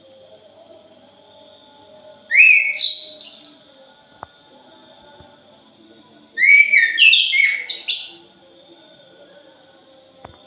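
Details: Punglor thrush (anis) lure song: two bright, rapidly shifting whistled phrases about four seconds apart, over a constant high, evenly spaced ticking like a cricket.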